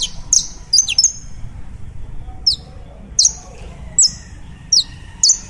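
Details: Saffron finch, Colombian variety, giving crisp high chirps: a quick doubled group at the start, then single sharp downward-sliding notes every half second or so, with faint hum behind.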